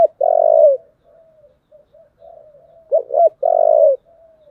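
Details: Spotted dove giving a fighting call in the 'giọng thổ' voice style: loud, low, drawn-out coos with a stuttering double note before the last, and soft, faint cooing notes filling the gaps between.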